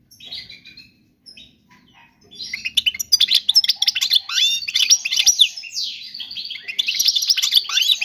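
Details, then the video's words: European goldfinch singing a flawless song intended to tutor young birds: a few soft scattered notes, then, after about two seconds, dense rapid twittering with bright chirps and liquid trills. "تغريد الحسون الملكي خالي من الاخطاء لتعليم الفراخ"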